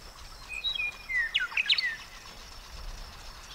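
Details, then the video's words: Western meadowlark singing: a few clear whistled notes sliding downward, then a quick, tumbling, flute-like burst of gurgling notes, over soft background hiss. "Listen to the Western Meadowlark singing"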